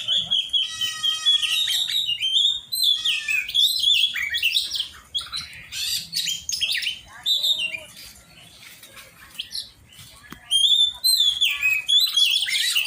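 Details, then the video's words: During song training, an Oriental magpie-robin pours out a long varied song: rapid repeated trilled notes, whistled slides and scratchy chatter, a quieter middle stretch, then renewed loud warbling phrases. "cara melatih burung kacer"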